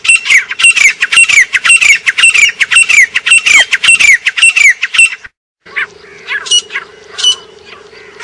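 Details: Grey francolin in Pakistan calling loudly, a long, steady, rhythmic series of shrill, squawking, downslurred notes. It breaks off after five seconds, followed by a few separated notes over a low humming background.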